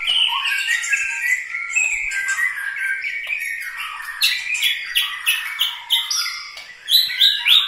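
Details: White-rumped shama from Medan, Bahorok, Bukit Lawang, delivering a dense, rapid song of chattering notes and short whistles, with several louder high bursts near the close.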